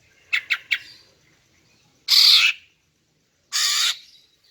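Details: Female greater green leafbird call used to lure males, heard as three quick bright chirps followed by two longer harsh, buzzy rasping notes about a second and a half apart.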